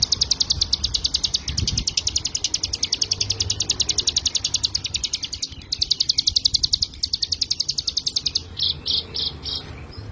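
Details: Hill prinia, called ciblek gunung, in a sustained 'ngebren' song for songbird training: a long, fast, even trill of piercing high notes that ends in slower, spaced chirps, with a soft low thump early on.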